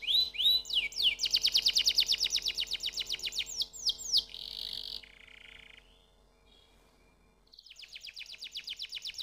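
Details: Singing canary: swooping notes open into a loud, dense, very fast rattling trill, followed by a buzzy lower tone and a pause. A fresh rapid trill then builds softly.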